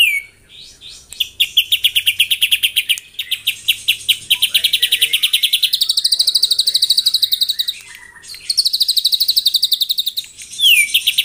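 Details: White-rumped shama singing in the morning to provoke rivals into singing: a long run of rapid, evenly pulsed high chattering trills, broken by short pauses and ending in a downward-sweeping whistle.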